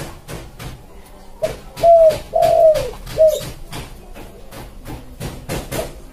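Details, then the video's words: Spotted dove song, recorded for luring wild birds: three clear, slightly descending coos in the middle, over a steady background of loud regular clicking or tapping. "Suara Tekukur buat pancing burung liar (koleksi) / suara pancingan burung tekukur"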